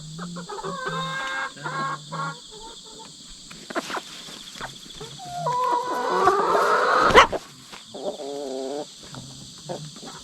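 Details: Two hen sisters two years apart in age, raised from chicks and newly put together, in a ranking fight the older wins; scattered squawks building to a loud rising scream near the end, with low droning tones and constant insect buzz behind.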